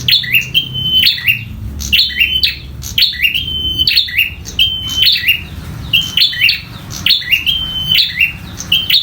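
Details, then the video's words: A bar-winged prinia in combat song pours out a regular series of bright, high phrases, each a snapped chirp followed by a sustained whistle, roughly one per second, with a low hum beneath. "PRENJAK LOKAL TARUNG GACOR‼️"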